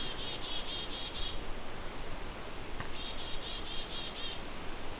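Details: Black-capped Chickadees in late May, morning, at McGregor Point Provincial Park on Lake Huron's eastern shore, Ontario, call in agitation near an old dead birch with a hidden nest hole (possibly young inside): runs of quick, even buzzy notes with brief strings of very high, thin notes, over a low outdoor rumble.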